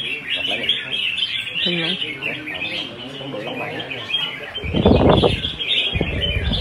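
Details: A caged red-whiskered bulbul in competitive fighting-song display gives a bright, chattering burst of quick whistled notes, partly masked by voices, music and a loud rustling burst.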